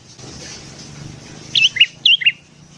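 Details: ['Morning song of a sooty-headed bulbul, used as a lure for wild birds: two quick pairs of clear, falling whistled notes after a quiet start.']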